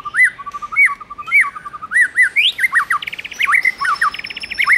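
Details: White-rumped shama male singing to a female's stimulation: rhythmic looping whistled notes, each rising and dipping, delivered in a steady series, then a fast stuttering trill and more rolling loops.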